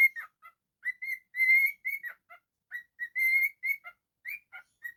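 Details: Whistling pet cockatiel: a string of clear whistled notes, some short and clipped, some long and steady, broken by lower warbly squeaks, performed as a continuous tune.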